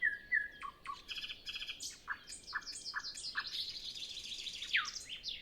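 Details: A common nightingale sings early morning before sunrise on a windless morning, before other birds start: a rapid, varied run of whistles, trills and harsh chattering phrases, shifting quickly between notes, with nothing else heard.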